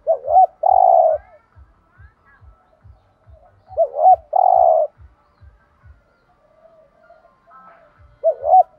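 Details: Thúc gù cooing of a spotted dove in the thổ đồng voice. Two full phrases appear, each a short wavering double note plus a long, even coo, and a third begins at the end. A steady faint low knocking runs beneath.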